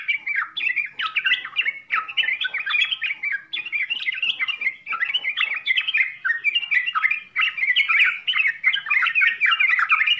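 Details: Yellow-vented bulbul pouring out its full, varied song for training beginners: a steady stream of liquid, bouncy chirps and warbles over ten seconds with short pauses between bursts, clean background.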